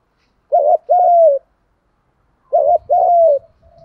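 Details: Two soft, hollow spotted dove coo phrases, male and female doves, recorded to stimulate doves to call. Each has a short tremulous opening note and a longer gliding, falling note. Faint low thumps follow the second phrase.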